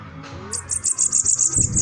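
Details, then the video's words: Bananaquit singing: a rapid series of very high, thin buzzy notes repeated about every tenth of a second, with a soft low rumble underneath. "Sibite cantando"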